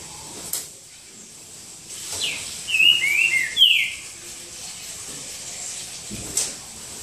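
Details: Green-winged saltator singing in the boca mole style during a singing duel at João Monlevade: one short phrase of clear, sliding whistled notes lasting about a second, over a faint background hiss and scattered clicks.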